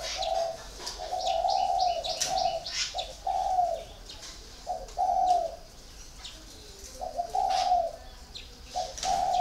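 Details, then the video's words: Caged spotted dove, kept four years, cooing in a series of mellow, even notes of varied length, repeated roughly every one to two seconds. Thin chirps and twitters of other birds come through behind. "còi 4 năm lồng"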